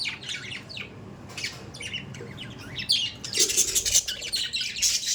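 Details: Several pet budgies chatter busily, quick scratchy chirps and clicks at first, rising into louder, denser, grating squawks in the second half.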